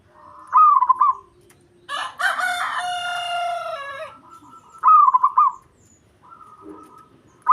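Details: Indonesian local zebra dove used to provoke rival males. Rapid bubbling coo phrases sound at the start and middle, with a rooster's long crow between them and another phrase beginning at the end.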